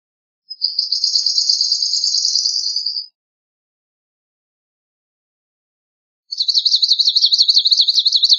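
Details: Swamp sparrow giving two separate trills about three seconds apart. The first is a dense, steady run of chirps. The second is a quicker, wavering series of slurred notes. No other sounds are heard.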